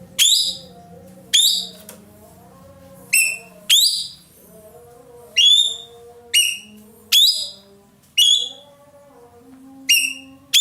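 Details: Roller, known locally as ekek keling and kept by Indonesian songbird hobbyists as a tutor bird, calling loudly: harsh, ringing notes that slide downward, given in uneven bursts about every second or two, with soft tonal whistles from other birds underneath.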